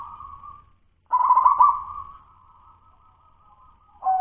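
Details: Local wild zebra dove whose cooing is still of the dudut-nutut style, not yet the los-negel-gayer or gacor style: a short cooed note, a pause, then a louder rolling coo that fades into a long quivering tone before a final coo.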